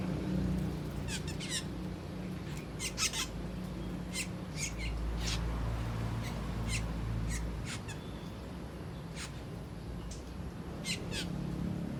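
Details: Several Asian glossy starlings feasting on ripe papaya, uttering sharp high chips and brief downslurred squeaky notes in irregular clusters throughout, over a constant low background rumble.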